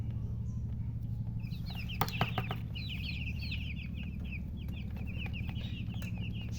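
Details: Newly hatched baby chicks calling in a rapid run of high, slurred peeps that grows into a near-continuous chirping chorus, with a few clicks and a steady low hum.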